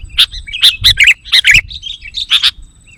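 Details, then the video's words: Sooty-headed bulbul lure calls for attracting wild birds: a quick burst of about eight bubbly, slurred chirps within three seconds, bright and liquid, fading away at the end. "Suara Burung Kutilang Pikat GACOR Sekali Putaran Kutilang Liar Auto Emosi!"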